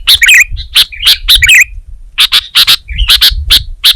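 Sooty-headed bulbul singing loud, bright chirps and short warbled phrases in quick bursts, with a few brief gaps; a low rumble sits underneath.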